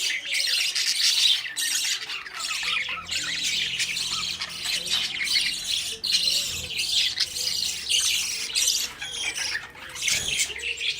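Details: Budgie chicks, now out of the nest, running after their parents for food; steady harsh chattering and squawking from many birds for the whole stretch, with a faint low hum behind.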